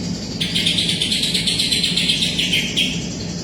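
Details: Caged greater green leafbird singing flat out with a kapas tembak song fill; a loud, rapid, chattering warble of quick repeated notes for about two and a half seconds, over a steady low hum.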